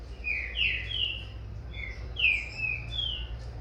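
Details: Green-winged saltator chick dueling in song with its father in captivity: two bursts of rich whistled slurs, several notes each, some falling, some level, with faint hum beneath.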